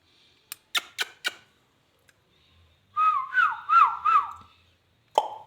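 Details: Talking ringneck parrot indoors: a few sharp clicks, then a run of squeaky, wavering whistled speech-like syllables, ending with one abrupt note.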